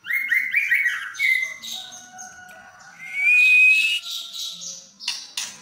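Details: Indonesian caged white-rumped shama of albino or blorok colouring singing quick descending whistled notes, a long smooth rising whistle, then harsh buzzy bursts at the end.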